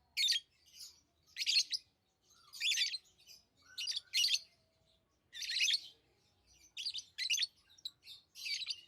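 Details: Tame lovebirds call in loud, scratchy high bursts spaced about a second apart, each burst a short buzzy chirp, with quiet between.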